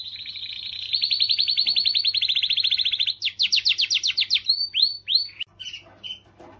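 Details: Domestic canary song meant to stimulate females, opening with a long fast rolling trill, then louder pulsed phrases and separate downward-sweeping whistled notes spaced out toward the end.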